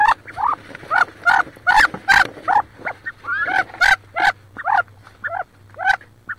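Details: Two wood duck hens quarrelling in a nest box near Richland, Washington, where one incubates about 18 eggs: continuous loud harsh squeals and rising whiny notes, repeated two to three per second, with a steady low hum beneath.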